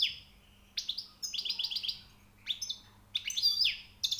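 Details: A European goldfinch delivers rapid liquid twitters and buzzy trills in short repeated bursts, indoors with a low background hum.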